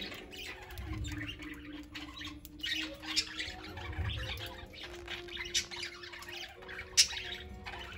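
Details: Pet parakeets of mixed ages at play, feeding and resting: continuous busy chirping and harsh squawks, with soft low thumps and a sharp loud note near seven seconds.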